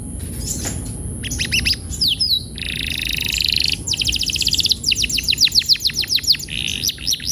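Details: Canary song for rolling practice: clicking chips, a buzzy roll, a fast fine trill, then a run of sweeping notes that gradually slows, ending in a short buzz.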